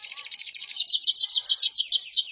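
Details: Canary song used as a master recording for training other birds: a fast run of sharp, high trilled notes repeating several times a second, growing louder toward the end.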